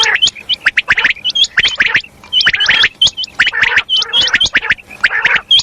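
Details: Female common quail (batair) calls in fast, crowded chatter. Gritty chirps overlap with thin, rising whistled notes, and the sound repeats almost without pause.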